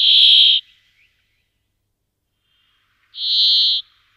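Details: Brambling: two separate rasping, nasal buzzes, each about half a second long, about three seconds apart, with silence between.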